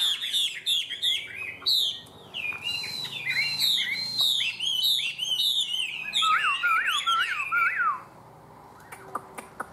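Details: A strongly singing caged Chinese hwamei with yellow legs pours out about eight seconds of loud, varied, looping whistles that grow into fast repeated swooping phrases before stopping abruptly, followed by faint clicks.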